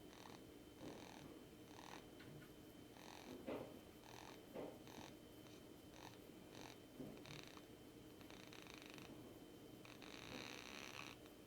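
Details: Rainbow lorikeet kept as a pet, resting in a person's palm and being spoiled, makes a long run of soft raspy purring and snoring pulses, irregularly spaced, some longer and hissier, in a quiet indoor room.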